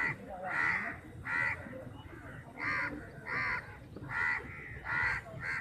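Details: Flock of about fifty crows squabbling over a chapati: loud, raspy caws delivered in regular pairs and bursts roughly every second, harsh and nasal, over a low rumbling background.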